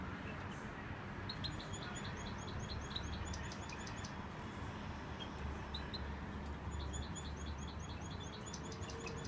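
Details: Brown-mutation carrier European goldfinch from 2016 sings short bursts of rapid, high, tinkling twittered notes in two phrases separated by a pause, over a steady low rumbling background noise.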